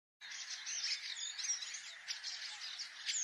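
A long-tailed shrike sings a fast, unbroken scratchy warble of chattering notes and thin high whistles, with no pauses for three seconds.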